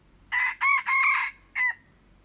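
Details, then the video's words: Red junglefowl crow recorded on 21 February 2025: a full rhythmic crow of four harsh syllables, three run close together, then a brief pause and a short falling final note trailing off, with quiet surroundings. "tiếng gà rừng gáy"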